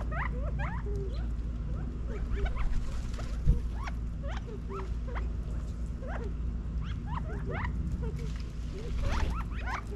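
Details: In a Las Vegas, Nevada backyard in fall 2022, feeding California quail keep up a chatter of brief rising chirps and low soft clucks from several birds, over a constant low-frequency hum.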